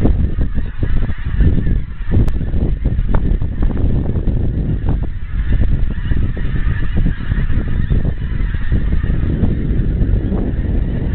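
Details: A great flock of wild geese in Scotland, drawing closer from far away; dense, overlapping honks blur into a continuous clamor over a heavy low rumble.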